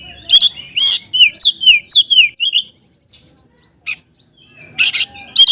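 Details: Oriental magpie-robin in energetic song, played to stir lazy magpie-robins into singing: a rapid series of bright, down-slurred whistles repeated about twice a second, then a pause and closing harsh, buzzy notes.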